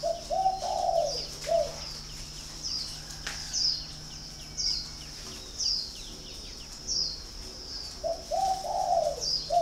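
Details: Spotted dove coos in two bursts of soft, hollow, low notes, at the start and again near the end. Between them, thin high chirps from small birds repeat every second or so over a faint hum.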